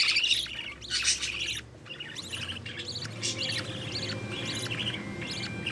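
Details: Green-line budgerigar chicks, one split to opaline, in the nest as the mother brings food; raspy squawking bursts in the first two seconds give way to softer scattered chirps over a low background hum.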